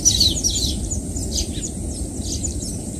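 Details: Baya weaver birds making high, dense chattering chirps that overlap in a continuous jumble, heard over a steady low rumbling background noise.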